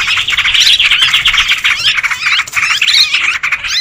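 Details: Busy chorus of sooty-headed bulbuls, played as a lure for trapping birds, with continuous bright, warbling squawks layered over each other and bursts of higher whistled notes.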